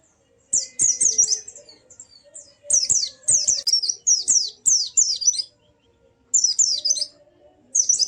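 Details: White-eye song meant to stir a silent bird into singing in forest style and opening its beak: high, rapid chattering bursts of twittering, warbled notes in phrases of one to two seconds, separated by short pauses, over a faint low hum.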